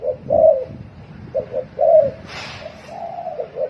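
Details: Spotted dove cooing in the fast 'thổ còi' style, used to excite other doves into cooing: low, mellow two-part coos, a short note then a longer swelling one, repeated irregularly, with a brief broadband hiss midway and faint background noise.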